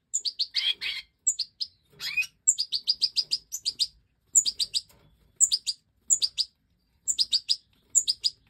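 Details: Five young Goldfinch Major fledglings, bred in captivity in 2024, beg while the hen feeds them after they left the nest: dense, insistent high chirps in rapid clusters, each group opening with a thin piercing note, nearly continuous.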